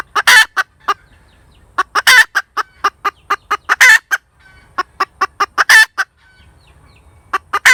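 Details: A hen cackles with loud rasping squawks alternating with series of brief, punchy clucks and short pauses between bouts.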